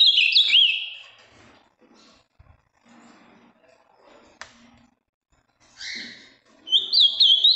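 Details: Ultramarine grosbeak, a large, deep blue male from the Minas Gerais region with a very firm song: a quick, high warbled phrase at the start and another at the end, separated by quiet with faint background clicks.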